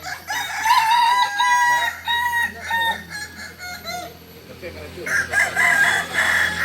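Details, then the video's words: Kokok Balenggek rooster from Solok, West Sumatra, a village chicken set apart by a crow rising in three to nineteen tiers; a series of clear stepped crow segments, a brief lull, then another loud pulsing burst. "Ayam kukuak balenggek ayam asli solok sumbar"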